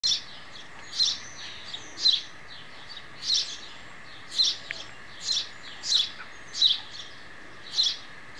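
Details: Sparrow chick and parent during feeding, a mother bird feeding her young: short bright chirps repeated roughly every second, steady rhythm over a quiet background hiss.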